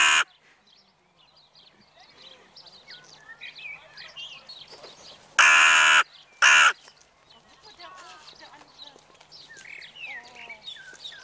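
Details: Crows on an evening: a brief caw at the start, then busy small-bird chirping before a loud, coarse caw and a shorter second one in the middle, followed by more twittering.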